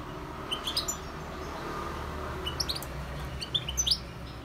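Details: Wild European goldfinch song: short groups of high, tinkling notes and chirps rise out of a steady low rumble of background noise, with quiet gaps between bursts.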